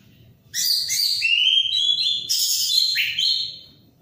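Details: Orange-headed thrush in full song, played to prompt silent birds to sing: a loud, rich three-second run of slurred whistles and sweeping rising and falling phrases, with a soft low rumble behind it.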